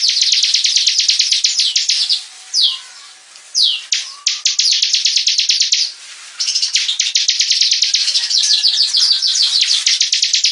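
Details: Ciblek, the bar-winged prinia, giving long bursts of rapid, evenly spaced high chips broken by a few loud downslurred whistles and brief pauses, then more fast buzzy chattering.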